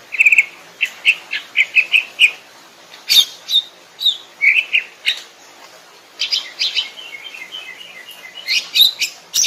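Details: Greater green leafbird in the wild, delivering a lively series of clipped chirps and whistles in quick bursts, followed by a softer warbling run of descending notes.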